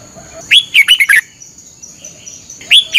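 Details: Thai red-whiskered bulbul, daily morning training song for learning to sing; one full phrase of an upslurred whistle and rapid warbling notes, then the start of another, with a faint continuous whine.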